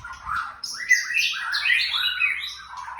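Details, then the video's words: Young white-rumped shama giving thin 'trakk' notes: a rapid, varied run of clear whistled and slurred phrases, sliding up and down and overlapping densely, with only faint low rumble beneath. "Trakk tipis” murai muda"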